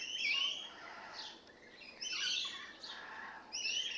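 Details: Rainbow lorikeets recently moved in, producing scratchy, piercing screeches in uneven bursts, one brief whistled note among them.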